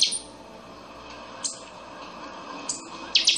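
Buffy-fronted Seedeater giving sharp, metallic high notes in short bursts, spaced about a second apart, ending in a quick doubled phrase; faint room hiss beneath.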